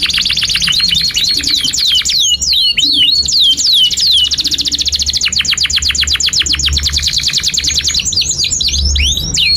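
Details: Long-singing canary performance meant to tutor young birds: fast rattling trills, repeated steep downward sweeps and chirps, continuous and loud throughout, over a faint low hum.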